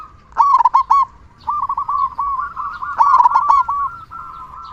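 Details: Local zebra dove with a loud voice, singing as a prompt to stir other doves. Two bursts of sharp, ringing staccato coos separated by a long, even, rolling trill of soft notes.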